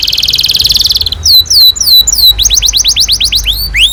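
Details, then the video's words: Canary singing on a tutor track for young canaries: an opening buzzy rattle, several slow falling whistles, then a fast series of rising chirps and curled upslurs. "PANCINGAN Kenari GACOR PANJANG Cuit CUIT EMOSI ini AMPUH utk MASTERAN Kenari PAUD belajar BUNYI"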